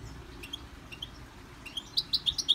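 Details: Caged European goldfinch in song training, kept in a Victorian brass cage: faint high chirps early on, then a run of louder, bright, high-pitched notes repeated about every fifth of a second toward the end.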